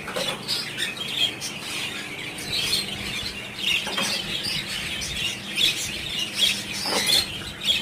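Budgerigars chatter in a busy, continuous stream of high chirps, warbles and scratchy squawks.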